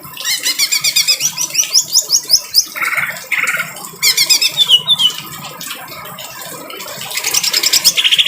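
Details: Greater green leafbird giving harsh song for bird tutoring: rapid high trills and slurred phrases in several bursts separated by lower buzzy notes and quieter gaps.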